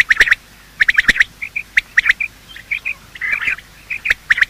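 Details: Quail morning calling, male and female, used to attract quail when hunting: grouped squeaky chirps with sharp ticks, softer piping notes in between, and a busier chattering patch near the end.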